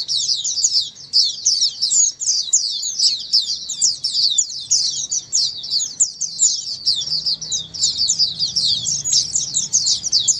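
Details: Flock of Oriental white-eyes in full chorus, a recording for getting silent white-eyes to sing: a steady torrent of high, thin, fast twittering with barely a gap, a faint low rumble under it.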